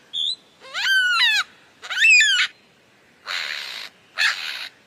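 A lyrebird runs through varied sounds: a brief high whistle, two rich, sliding, nasal calls, then two harsh rasping bursts, each under a second.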